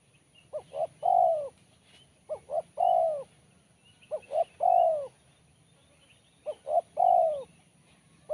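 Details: Spotted dove in 'kuk 1' style, voice described as crisp and sharp, gives four evenly spaced phrases roughly every two seconds: two short notes, then a long falling coo.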